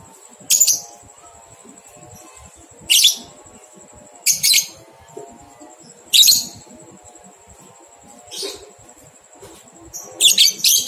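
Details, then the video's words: Lovebird on a 123-beat ngekek training recording meant for two-month-old young lovebirds; short piercing chattering bursts repeat every one to two seconds, ending in a quick triple burst, with a steady thin high whine behind. "Masteran Lovebird Paud 123 Ketukan Terbukti Ampuh Merangsang balibu 2 bulan Ikut Ngekek"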